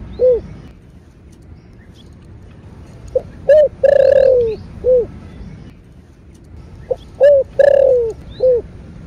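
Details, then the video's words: Two full cooing phrases from a spotted dove singing the 'thổ' calling and urging song, each a soft lead note, a hooked coo, a long downward-drawn coo and a short final coo, phrases about four seconds apart. "Cu gáy giọng thổ bầu GÁY GỌI + THÚC . Tiếng Chim Cu Gáy Kích Bổi"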